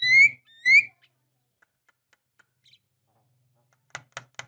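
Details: Female Javan myna calling the male, used as a lure recording: two loud, rising whistled notes with bright overtones, followed after a pause by faint ticks and three short, harsh clicking notes.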